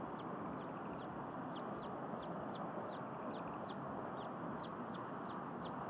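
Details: Bald eagle hatchlings peeping in a nest at Berry College, Rome, Georgia, on 9 February 2021, in the afternoon while a hatch is in progress. Faint, high, thin chirps repeat about twice a second over steady broadband background hiss.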